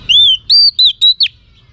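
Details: Female Oriental magpie-robin, a song-trained bird, singing to stimulate males: five clear whistled notes, rising and falling arcs, each sustained briefly with short gaps, the last one sharply descending.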